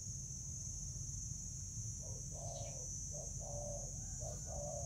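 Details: Spotted dove in Vietnam, 24 July 2019, squabbling over food: a quick run of low, hollow coos in clipped bursts, the longer notes flat and mellow, against a constant high-pitched hiss and background rumble.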